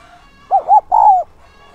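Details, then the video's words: Lure spotted dove cooing once to bring in wild birds. Two short soft hoots lead into a sustained, gently falling coo, clear against a low background hum. "Chim cu gáy mồi giọng SON chuẩn THÚC và GÁY GỌI kích bổi nhanh nổi hiệu quả"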